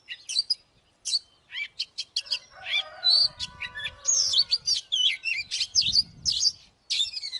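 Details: Magpie-robin kept as a lure for fighting, singing in varied whistled phrases and quick chirps that grow denser toward the end. A low rumbling background noise sits beneath parts of the song.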